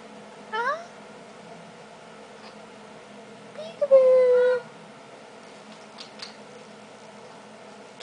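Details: Young female eclectus parrot kept indoors, imitating her squeaky toy on request: a short rising squeak, then a sustained flat squeal lasting most of a second, over low room hum and a person's voice.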